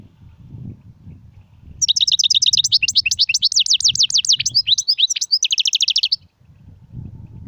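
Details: Singing European goldfinch, Sarfati, Gzrati and Sersir styles. A continuous four-second stream of rapid, high, bubbling chirps and looping slurred notes, with a buzzy trill near the end, set against a soft low hum.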